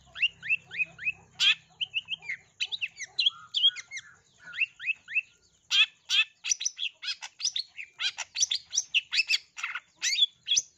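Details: Long-tailed shrike in full lure song, used to stimulate other shrikes to sing, packed with imitated sparrow phrases: a steady stream of quick, high, slurred chirps broken by loud harsh bursts, continuing for over ten seconds.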